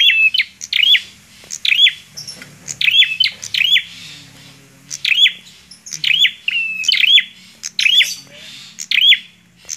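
Bar-winged prinia singing sharp, high, upslurred chirps in quick clusters of two or three, repeated about every second, with a faint low hum behind.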